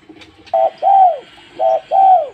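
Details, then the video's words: Two phrases from a spotted dove: a clipped, level coo and then a drawn-out coo that swells and falls away, delivered twice in quick succession against a quiet background. "Tekukur lulut gacor"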